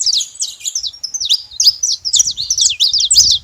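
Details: A busy saffron finch chorus at a feeding station: rapid, high twittering notes sliding up and down without a break, over a soft low background hum.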